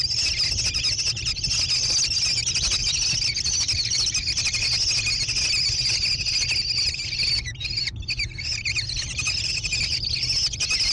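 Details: American kestrel chicks in a nest box on private land near Prairie du Chien, Wisconsin, USA, 14 June 2022. A loud, continuous high chattering whine pulses rapidly with only brief dips, over a faint low hum.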